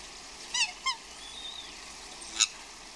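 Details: Outdoor swans courting in the rain: two quick harsh honks, a thin whistled glide, then a single loud squeal, all over steady rain noise.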